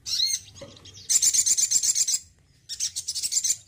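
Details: Male crimson sunbird kept in care, singing often: a thin high note, then a rapid buzzy trill of very high notes for about a second, a short pause, and a second fast high-pitched run, with faint low background hum.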